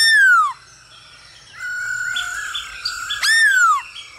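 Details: Male hwamei song over a female's calls, played to prompt birds to sing. Two loud, pure whistles slide steeply downward, separated by a murmur of faint buzzy and chattering notes.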